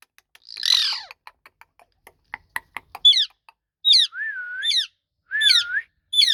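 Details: Ringneck parrot talking: a rough squawk and scattered ticking clicks, then repeated high chirps joined to dipping, drawn-out whistles.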